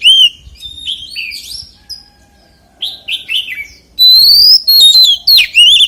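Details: Oriental magpie-robin delivering a 'giọng rừng' wild-voice song. Varied sweet whistles and short slurred notes come in bursts, with a short pause near the middle, then louder sustained rising and falling whistled phrases.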